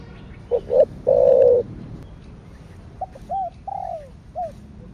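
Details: Spotted dove's thổ sấm coo, in thổ đặc thúc style: two brief hoots and a long, loud, buzzy coo, followed by a quieter sequence of arched, down-slurred notes.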